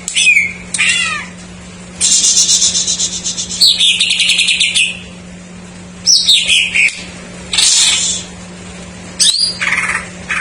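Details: Greater green leafbird song with isian (fill-in phrases), played as a lure to spur untrained or silent birds to sing: bursts of high, rapid chirps, buzzy trills and descending whistled slurs, separated by short pauses, over a steady low electrical hum.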